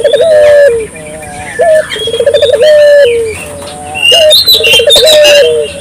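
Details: Dove in full voice, used to provoke local doves to call: rippling trilled coos ending in long steady notes, repeated about every two and a half seconds, over high chattering and whistles from other small birds.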